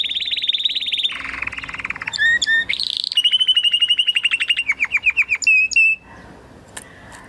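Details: Spanish Timbrado canary from a 2020 breeding line sings a training song: a rapid high rattle drops into a lower roll, then clipped whistles, a steady run of repeated notes and falling slurred whistles, ending abruptly.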